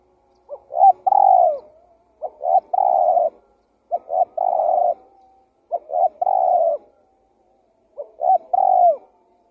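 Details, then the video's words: Spotted dove ('tekukur') cooing as a lure for wild doves: five phrases of two quick short coos and a longer mellow hoot, spaced about every 1.7 seconds, background quiet. "Suara Pikat Burung Tekukur Gacor KUK 1"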